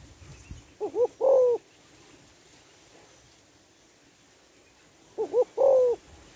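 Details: Spotted dove, a female calling so that males respond. Two identical cooing phrases sit about four seconds apart, each with two short quavering notes leading into a drawn-out mellow coo, over faint hiss.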